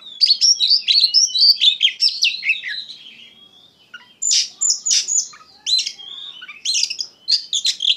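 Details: Kacer, the Oriental magpie-robin, singing hard in ngeplong style: a fast chattering run of high whistled notes, a brief lull, then loud, clipped, explosive phrases about once a second.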